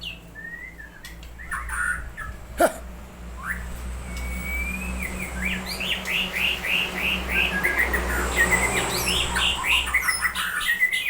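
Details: Long-tailed Aceh white-rumped shama singing a rich fill: a few scattered whistles, then a long fast series of repeated sharp rising notes, several per second, over a low steady hum.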